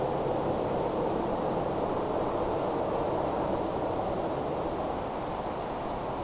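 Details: Even, hissing wind roar with a low rumble underneath, and no animal sounds.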